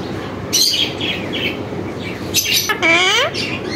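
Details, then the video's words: Tame pet parrot speaking in a raspy imitation of a human voice, repertoire including MashaAllah and Allah hoo; two bursts, the second a longer drawn-out word with a sliding, falling pitch. "full talking parrot"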